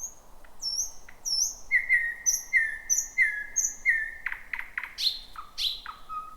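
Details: First thrush nightingale of 2026 singing around midnight from thick bushes: high whistled phrases repeated, then a steady series of falling notes, ending in loud sharp clicks and slurred whistles.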